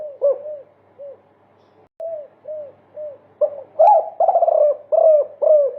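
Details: Spotted dove "multi kuk" song, used to tutor caged doves: low, soft coos repeated about twice a second, starting quietly and growing louder and fuller, with several notes run together in series.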